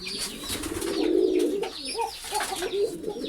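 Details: A pigeon gives a drawn-out, throaty coo that swells in the middle and fades, then shorter coos, while quick high chirps from other birds flutter above.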